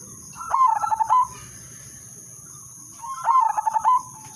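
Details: Lure song of a zebra dove, udanmas silver variety, sung to prompt other doves to join: two bursts of fast, bubbling coo notes about two and a half seconds apart, under a steady electronic whine.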